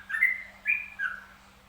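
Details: A zebra dove gives trucukan song, three quick bright cooing notes that slur downward, with a soft mains hum underneath.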